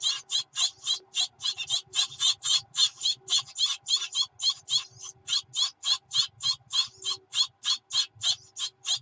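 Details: Great tit nestlings begging as their mother brings food, 24 June 2019: a steady run of harsh, buzzy, high hissing calls, about three or four every second, with no pause for nine seconds.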